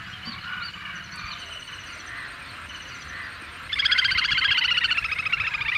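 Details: Little grebe giving a loud, rapid whinnying trill of fast repeated notes that runs for about two seconds and slowly falls in pitch, following a stretch of steady background chorus from other birds or frogs.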